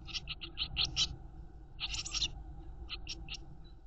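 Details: Nestling Eurasian blue tits inside a nest box during a short feeding visit by the mother; rapid runs of high, hissy begging chirps in two bursts, then scattered single chirps over a low background hum.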